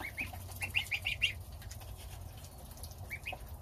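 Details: Young domestic geese at breakfast on starter ration with their mother, the father goose guarding outside. Fast chain of bright, upslurred peeps at the start, then two isolated peeps near the end, low background hum.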